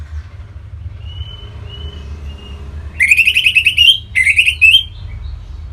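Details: Orange-headed thrush song played as a lure to get other birds singing: thin soft whistles open, then two loud, rapid, slurred phrases of bright notes, over a faint low hum.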